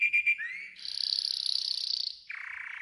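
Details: Yellow golden canary in a training song: three quick high notes, a rising slide, a loud fast-rolling high tour, then a drop to a lower churring trill.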